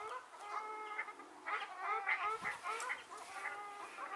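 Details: Ruddy shelducks, watched in March 2022 near Hergershausen and at the Landbach restoration site in Bickenbach, call in a steady series of loud, nasal, trumpeting honks, each short and evenly repeated, with a brief pause in the middle.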